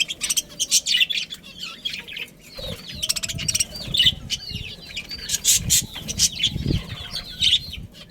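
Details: Breeding budgerigars in a colony: repeated short, hooked high chirps and warbled squeaks come in quick runs, with sharp clicks and low knocking sounds in the background.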